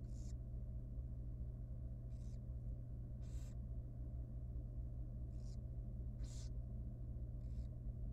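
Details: Very young wild barn owl nestling in a monitored nest box at feeding time, begging: six raspy, hissing bursts spaced unevenly across eight seconds, with a steady low electrical hum underneath.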